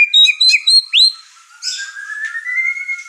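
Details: White-rumped shama singing in an over-excited mood that rouses the other household birds. Quick bright whistles and a rising slurred note are followed by a long, thin, steady whistle under softer chatter.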